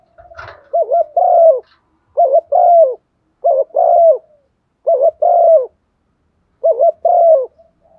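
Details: Decoy spotted dove repeating its set coo pattern five times, about every one and a half seconds, each a brief double warble followed by a longer descending coo, meant to provoke other doves.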